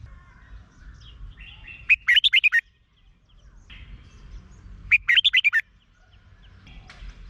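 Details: Red-whiskered bulbul singing, Thailand, played to get caged birds excited: two matching phrases of six fast bubbly whistled notes, about three seconds apart, with faint chirps between and a low background murmur.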